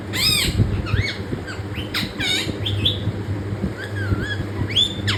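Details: Pet parrot with dense arched squawks and bending whistled notes packed into a few seconds, loud throughout, with a constant low hum underneath.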